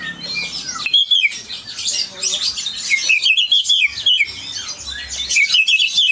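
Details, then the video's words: Champion Aceh white-rumped shama delivering bright, high whistled phrases broken by short gaps, each burst a rapid string of sharp chirps and slurred notes. "Murai Batu Aceh Sang Juara original"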